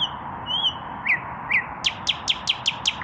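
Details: Male common nightingale singing in the evening, not yet paired, puffing up its chest: soft whistled notes, then a fast series of sharp descending strokes repeated about five times a second, over steady low background hum.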